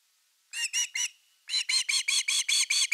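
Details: Osprey at camera-watched nest #3, 30 August 2021, evening fish; three shrill whistled calls, a short gap, then a steady run of about nine more, all bright and slightly harsh.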